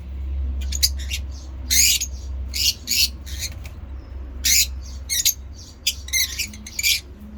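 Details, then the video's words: Ngekek chatter from pet African lovebird mutations: harsh, screechy bursts in irregular groups, some stuttered into quick doublets, over a low steady hum. "lovebird ngekek"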